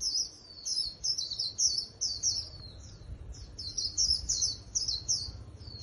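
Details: Japanese white-eye singing in a fighting-trap contest style: rapid high thin twittering phrases, repeated bursts of sweet warbling notes with brief pauses, no other clear sounds.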